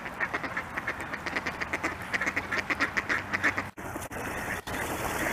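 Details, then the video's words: Mallards on ice in winter trade quick, nasal quacks, about four a second, for three and a half seconds before taking off, then fall silent as a steady rushing noise takes over. "Ducks Having a Conversation and Flying Away"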